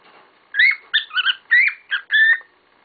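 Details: Pet cockatiels: a tight series of five loud, raspy, upslurred chirps in under two seconds.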